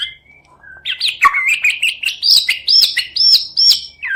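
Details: White-rumped shama provoking song, 'cess plengg' style: a thin whistle, then loud looping slurred notes, followed by a series of evenly repeated ringing phrases and a closing downward slur.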